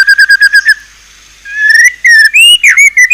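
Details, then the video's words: White-rumped shama singing a rapid run of short repeated whistles, a pause, then rising and falling slurred whistled phrases, loud and clear with no other sounds. "ISIAN MEWAH MURAI BATU_PALING TOP SUARA SANGAR"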